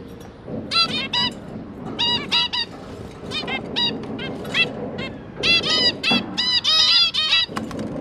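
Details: Parent zebra finches feeding their three juvenile babies, 5 September 2022; loud, nasal beeping calls in clusters of two to four, a pause near the middle, then a busier stretch of overlapping calls.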